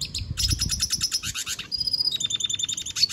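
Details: Red siskin in continuous song: a fast buzzy trill of rapid high chirps shifting into steadier repeated notes and a twittering rattle.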